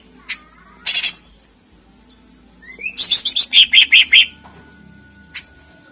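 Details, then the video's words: Greater green leafbird song used as a lure for contest birds. A few scattered sharp notes come first, then a rising slurred whistle. A quick volley of about ten ringing chirps follows, and one last short note. "Suara Full Cucak Ijo Gacor Ampuh Untk Pancingan Burung Kontes"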